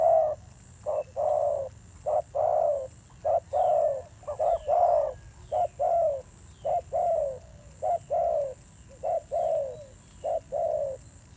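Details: Fierce cooing of a newly caught wild spotted dove, evenly paced deep coos in repeated short-long pairs, the longer notes falling slightly at the end, continuing through the whole stretch, faint high whine behind.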